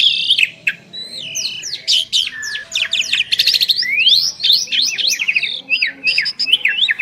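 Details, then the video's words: Pair of Asian pied starlings singing together: lively, jumbled sequence of bright whistles, zigzag chirps and rattling buzzy notes, overlapping and sustained without pause. "Jalak Suren Istimewa | Duet 2 Burung Juara"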